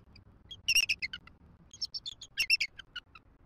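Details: Female bald eagle at a wild Southwest Florida nest calls for a shift change with her mate: two clusters of shrill, stuttering chitters separated by a short pause.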